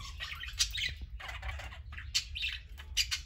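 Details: Several pet parakeets playing, eating and lounging together, adults and young; dense overlapping warbling chatter and squawky chirps, with brief wingbeats and a low background hum.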